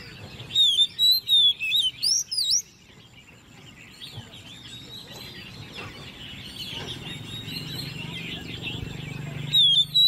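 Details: Ten-month-old hand-reared Oriental magpie-robin singing in competition from its cage. It opens with about six loud whistled notes, including a wavering rising phrase, then comes a long stretch of dense chirping from other birds and a single strong whistle at the end.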